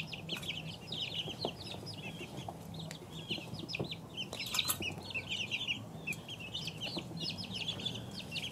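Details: Flock of two-week-old chicks peeping nonstop, bright short chirps rising and falling in quick succession, many birds overlapping, faint low hum and light rustling underneath.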